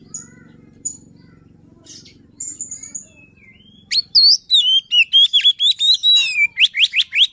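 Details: Luring song of a white-rumped shama: a few soft scattered notes and low background murmur, then a loud burst of fluting whistles, twisting trills and quick rising sweeps in the second half.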